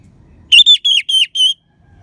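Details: Orange-headed thrush giving a crisp phrase of five loud, evenly spaced, level whistled notes with a rich, ringing tone; used to stimulate sluggish birds to sing.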